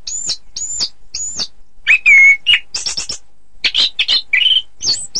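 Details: Orange-headed thrush song for contest training: opens with three high arched whistles, then a pure sustained whistle, followed by mixed chattering phrases and rising notes.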